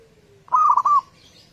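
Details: A local zebra dove, recorded as a lure to make other doves sing in the morning, gives one short phrase of four rapid, clipped cooing notes after a faint low hum.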